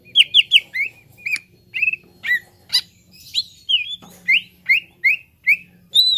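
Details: Cucak ijo, the green leafbird, in a training recording meant to make birds sing quickly: an opening trio of quick whistles, then a steady series of slurred, rising-falling whistled notes, each about a third of a second apart.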